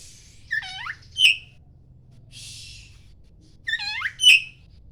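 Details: Poci-type Oriental magpie-robin in morning song: a harsh phrase of descending, grating notes ending in a sharp high chip, a soft rasp between, then the same phrase repeated about three seconds later.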